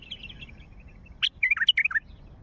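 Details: Wild Mandali bulbul giving calls: a soft run of thin warbled notes, then a burst of loud, sharply bending whistles in quick succession, over a low background hum.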